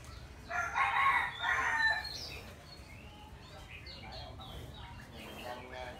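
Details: Eclectus parrot giving a harsh, raspy screech in two loud bursts over about a second and a half, followed by quieter chattering and faint high notes against a low background rumble.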